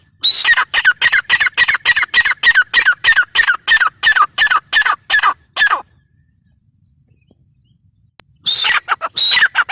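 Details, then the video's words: Grey francolin giving a rapid run of harsh, evenly spaced squawks that stops abruptly, then after several seconds of silence resumes with a whistled note and more rasping calls. "Teetar ki awaz | teetar sound | El sonido de una perdiz | Suara ayam hutan | teetar voice"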